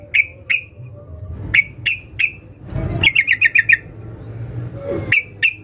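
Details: Sooty-headed bulbul female calling a male: separate sharp, slightly downslurred single notes spaced about half a second apart, with one quick burst of five fast chirps in the middle and low background noise.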